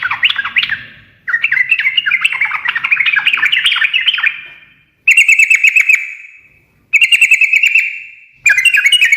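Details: Sooty-headed bulbul giving a lively ngekek chatter that makes other birds reply straight away; long tumbling runs of rapid notes, then three shorter ringing bursts separated by brief gaps, each ending in an echoing tail.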